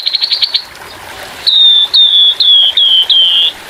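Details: Grey-headed fulvetta giving its 'tembakan kasar' song in a birdsong training recording with trickling water. A brief rapid trill opens, then after a pause come five clear, slightly falling whistles at a steady pace.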